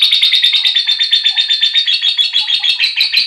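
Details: Lovebird chirping, used to stir other lovebirds into singing: a fast, continuous stream of high, shrill chirps, about eight per second, steady and busy throughout with no pauses, indoors.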